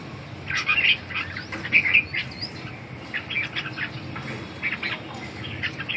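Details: Red-whiskered bulbul singing: short, scattered chirpy notes and brief warbled fragments, fairly quiet, spread irregularly over several seconds against a low background hum.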